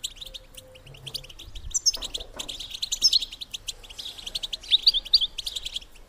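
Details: Calls of a female European goldfinch, played to stimulate male goldfinches to mate: fast, high, tinkling chirps in irregular bursts, with a few sharp, brighter notes standing out, over a faint low background.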